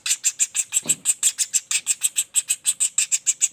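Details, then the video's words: Fast, evenly paced high squeaky notes from a young common flameback, about three a second without pause, with a brief low rustle early on. "Suara Pelatuk Bawang Anakan Roll speed tanpa jeda"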